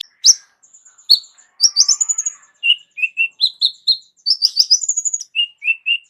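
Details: Kolibri ninja sunbird with a rich song repertoire, kept as a vocal model for other songbirds, delivering varied high chirps, slurred whistles and quick note runs that jump up and down in pitch.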